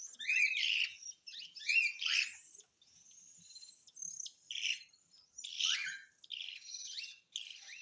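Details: Cockatiel begging during hand-feeding: bursts of harsh, rasping high chirps with rising and falling notes, delivered in rapid clusters separated by short pauses, no other clear sounds.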